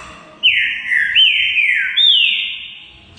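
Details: Green-winged saltator in song: three strong whistled notes, each starting with a sharp upward flick, then sliding smoothly down, linked into one ringing phrase.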